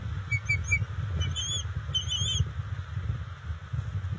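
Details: Bald eagle at its nest as the adult female delivers fish to the eaglets, June 27, 2021. Two bursts of thin, high, whistled chirps in quick series, the second stretch longer and wavering, over a steady low rumble.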